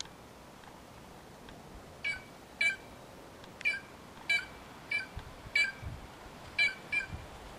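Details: White-naped jay, wild and free in nature, giving a series of short harsh nasal notes with sharp overtones, repeated roughly every half second to second, over a steady background hiss.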